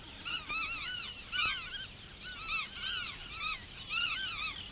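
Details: Several Black-tailed Godwits in the water-meadows and coastal pastures of Matsalu, recorded in a 1979 field recording, give nasal, arched calls in quick overlapping bursts, roughly every half second, over a faint open-country hiss.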